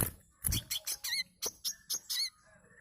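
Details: Manggar bird song used to lure birds into singing: a short series of loud, clipped high chirps with curling whistled tones, roughly three a second, after a low thump at the start.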